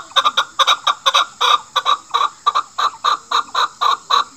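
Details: Chukar partridge, national bird of Pakistan, calling as used by hunters to lure a female: rapid, steady series of harsh clucking chuk notes, often doubled, repeated several times a second without pause.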